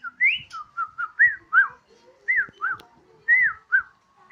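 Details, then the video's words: Home-kept Borneo white-rumped shama on a terrace delivering short clear whistled phrases, some arching up and down, spaced by brief pauses over a quiet background. "Murai odong-odong (BORNEO) dengan penuh semangat si Burung berkicau layaknya suara sirine"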